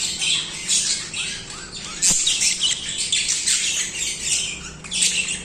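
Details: Nonstop budgie song of scratchy, twittering chirps and squeaky warbles layered together, one sharp click partway through, with a faint steady hum underneath.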